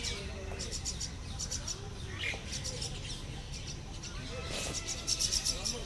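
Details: Common myna chicks in the nest being fed by their mother at Lodhi Garden, New Delhi, on 4 July 2021 give rapid, raspy high chirps in repeated bursts that swell toward the end, over low background rumble.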